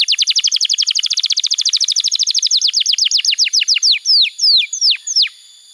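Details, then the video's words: Canary song meant to train young canaries and coax silent ones to sing: a very fast trill of descending chirps that loosens into slower, longer downslurred whistles spaced about half a second apart. "Pancingan Suara Kenari Gacor‼️ Ampuh untuk Masteran Kenari Muda dan Terapi Kenari Macet Bunyi"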